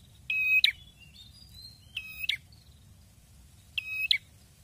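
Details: Red-headed prinia, a songbird kept by bird hobbyists, singing actively: three loud bursts about every 1.8 seconds, each a flat buzzy trill ending in a sharp upward flick, with faint thin whistles between bursts over a quiet low hum.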